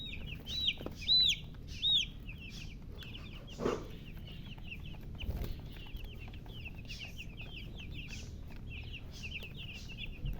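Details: Chicks of the domestic chicken chirping: a few loud, arched peeps early on, then a dense chorus of rapid high cheeps, about 80 a minute overall, with occasional thumps and noise.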